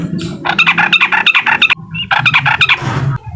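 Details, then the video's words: Sooty-headed bulbul (trucukan) song meant to provoke a rival, heard as two bursts of rapid, chattering notes around mid-high pitch, each burst under a second and a half, with a low hum underneath. "SUARA TRUCUKAN UKLIK BIKIN LAWAN EMOSI DAN LATAH!!"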